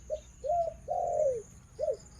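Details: Female decoy dove, breeding stock on a farm, giving one cooing phrase: a short coo, a gliding note, a long sustained falling coo, then a final brief coo, against a low steady hum.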